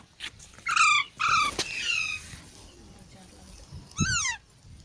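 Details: Baby parrots giving harsh, falling squawks in two quick bursts, then a pause with low background rumble before one more rasping descending call.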